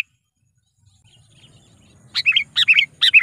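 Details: Trained lure sooty-headed bulbul giving a lure call meant to provoke wild rival bulbuls; after a quiet start, three sharp bright chirps, each a quick pair of notes, come about every half second near the end.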